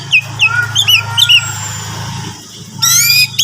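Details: Song of an orange-headed thrush, meant to prompt a caged bird to answer: clear descending whistled notes repeated several times, a fading note, then a fast high trill, all over a steady low hum.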